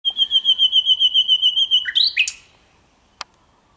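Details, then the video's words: Common nightingale singing in morning sun on a May day, 1 May 2023: a fast run of about fifteen ringing, high notes at roughly eight per second, then a brief burst of sweeping chirps; a single click follows. "Słowik rdzawy pięknie śpiewa"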